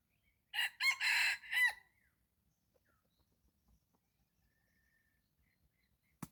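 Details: One morning crow from a red junglefowl at a decoy-luring site: quick choppy opening notes, a drawn-out harsh centre and a brief tail, followed by several seconds of near silence and a single sharp click.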